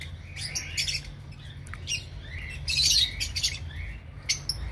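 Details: Lovebirds in an aviary giving bright, sharp chirps and short squawks in quick, irregular bursts, several birds calling over a low steady hum.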